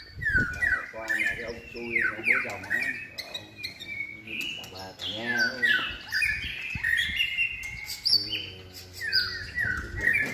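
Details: White-rumped shama raised for song competitions, third moult season, pouring out descending whistled phrases broken by rough, nasal chatter and short rattles, one phrase after another with barely a pause.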